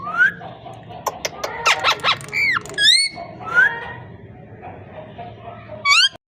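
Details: Parrot talking sounds: a cluster of harsh, broken squawky bursts, then several curved whistles, some falling and some rising, ending with one sharp upward whistle after a quieter stretch.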